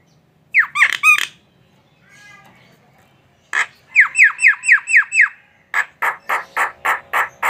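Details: Tame Javan myna in song: a few sharp downslurred notes, a pause, then a fast series of about seven chirped notes and a burst of harsh rhythmic bursts.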